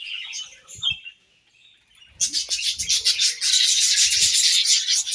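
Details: Several budgies eating grass, first a few thin warbled chirps, then after a brief lull a loud, continuous wall of scratchy twittering chatter fills the rest of the clip.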